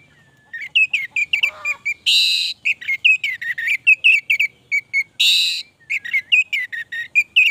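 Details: Orange-headed thrush in long, prolific song: rapid varied whistled notes, many rising or falling slurs, delivered in quick bursts, interrupted twice by short harsh rasping blasts.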